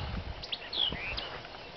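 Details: A White-eyed vireo (Vireo griseus) sings at Neal Smith NWR, Prairie City, Iowa: a quick, snappy phrase of high chips and slurred whistles, some rising, lasting under two seconds over low rumbling background noise.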